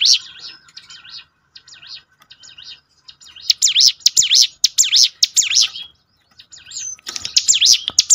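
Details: Bar-winged prinia song used to provoke caged birds into singing: quieter chirps, then loud sharp up-down notes repeated roughly twice a second, broken by brief pauses.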